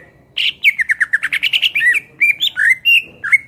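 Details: Greater green leafbird in full, energetic song, recorded as tutor material for songbirds: a quick run of short, clear whistled notes, then slurred, rising and falling whistles and a final upward flourish.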